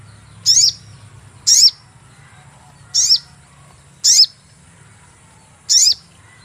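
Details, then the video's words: Sogon bird cuit-cuit lure call for catching birds: five bright, high chirps, each a quick note with a downward slide, repeated roughly every second, over a low hum. "cuit cuit pancingan burung sogon"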